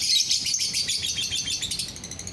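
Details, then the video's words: Lovebird song meant to set other lovebirds singing: a dense, continuous stream of rapid, high-pitched chirps and twittering notes for the whole stretch, with no other sounds. "DENGAR SESAAT SAJA, bikin lovebird yang lain ikut bunyi"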